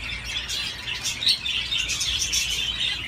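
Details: Budgerigar playing on a swing: a rapid, rasping warble with quick squeaky chirps, steady throughout.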